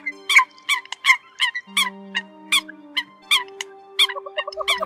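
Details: Eurasian coot calls used as a trapping lure late in the bird season: sharp, clipped, bright notes repeated about every half second, several overlapping irregularly, over faint steady low tones.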